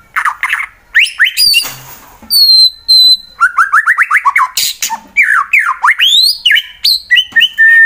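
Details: White-rumped shama, a 'fighter' bird from Wonosobo, Central Java, Indonesia, singing to provoke rivals into song: loud, varied whistles, rapid rising and falling notes, fast trills and sharp chattering phrases with brief pauses between bursts.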